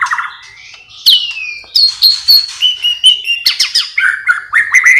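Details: White-rumped shama singing with imitation filler of sparring sparrows, lovebird and kapas tembak: rising whistles, a long sliding note, then rhythmic clipped phrases and chirps.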